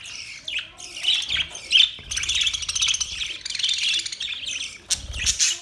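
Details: Budgies chirping loudly in a flock, a dense, rasping warble of overlapping chatter with buzzy, grating stretches and brief drops in volume.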